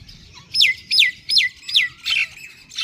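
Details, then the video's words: Babies of the wild jungle babbler utter loud, high, downslurred squeaks, five in a row about every 0.4 seconds, with faint softer calls and low background noise between them. "Jungli Babbler Babies Voice"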